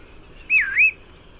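A single clear whistled call from a Bristle-thighed Curlew, dipping then rising, like "chi-u-it", lasting under half a second over faint background hiss.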